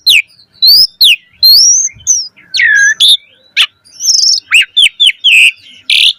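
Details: Asian pied starling singing, used to prompt other starlings to sing: a busy mix of clear whistles, rising slurs and harsh buzzy notes in quick succession.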